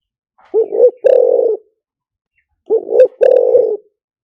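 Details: Spotted dove lure song in the liu tan style, meant to draw wild doves in fast: two phrases about two seconds apart, each a quick two-note rising coo followed by a drawn-out rough coo, quiet background.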